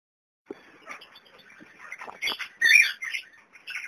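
Young kakariki chatter in quick, scratchy, high chirps and squeaks, starting softly and then rising into a louder burst of overlapping calls near the end.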